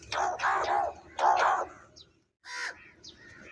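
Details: Crow calling while eating food: two long, rough, drawn-out nasal calls, then after a brief silence a shorter harsh caw with faint chirps.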